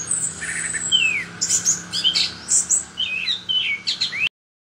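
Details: Chestnut-capped thrush singing vigorously: a long high whistle, then quick bursts of chirps, slurred downward whistles and twittering notes, about two per second, over a faint low hum, ending abruptly.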